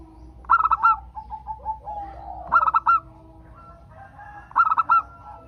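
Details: Zebra dove, local type, whose song serves to make other doves sing: three bursts of four or five quick, hollow coos roughly two seconds apart, with soft chirping notes in between.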